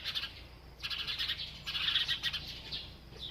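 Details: Village sparrows chirping as they play and bathe, in an unedited natural recording; three dense bursts of rapid, overlapping high chirps, separated by brief quieter gaps.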